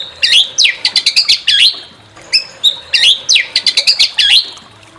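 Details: White-rumped shama song played to provoke another shama into singing: loud, rapid phrases of sharp clicks and looping whistles, two similar bursts separated by a brief pause.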